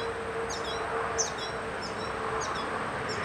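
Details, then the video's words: High, thin chirping from a yellow finch feeding its young, short downward-sliding notes in small groups roughly every half second, with a faint low hum beneath. "Yellow finch feeding young"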